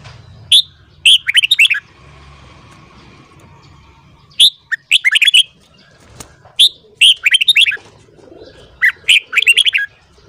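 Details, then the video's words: Red-whiskered bulbul morning song for voice training: repeated short phrases, each a sharp opening whistle then a tumbling cluster of chirpy, melodic notes, four phrases spaced a few seconds apart over a steady low hum. "Luyện giọng chào mào hót sáng .kích giọng chào mào hót hay"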